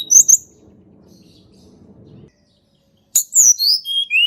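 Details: Sunda robin singing in nature, used as a lure for quiet birds: a couple of sharp high whistles, a soft murmur, a pause, then a ringing phrase of descending whistled notes.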